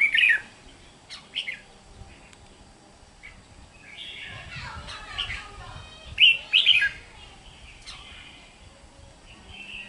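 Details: Wild-caught red-whiskered bulbul (Pycnonotus jocosus), recorded 8/6/23, gives short, bright, bubbly whistled phrases in bursts a second or two apart, with faint background hiss between.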